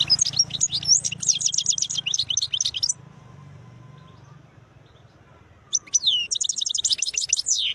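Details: European goldfinch song of Algerian type with fine notes: two bursts of fast, bright twittering and rapid trills, with a buzzy run, separated by a quiet gap of about three seconds, over low hum.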